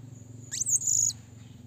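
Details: A single shrill, high-pitched drawn-out note from a blue-crowned hanging parrot calling a rival, starting with a brief sharp onset and lasting about half a second, over a low steady background hum.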